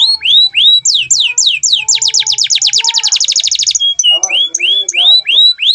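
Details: Atlantic canary singing a lively training song for other birds: downslurred whistles, then a fast, even, buzzy trill of about three seconds, followed by rising and falling whistled notes and a few short chips.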